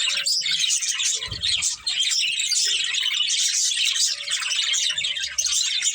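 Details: Breeding pair of budgies chattering continuously in scratchy high chirps and warbles, with faint whistled tones and an occasional low knock.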